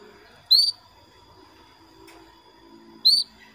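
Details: Female canary calling to a male, used in Indonesia as a lure to get males singing: two short whistled notes that rise and then hold level, about two and a half seconds apart, over a faint steady background hum.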